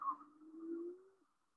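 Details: Madagascar turtle dove in the Seychelles gives a single low, hollow coo, drawn out for about a second and rising slightly before it fades.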